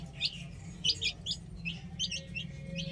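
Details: Young chicks at play on a roof make clipped, high cheeps in small groups of two or three, spaced irregularly, with a faint low drone in the background.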